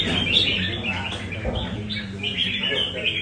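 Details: Red-whiskered bulbul from Nam Đông practising 'cafe' style song in Da Nang; quick chirpy warbled notes tumble in short bursts, with low humming background noise and faint murmurs beneath.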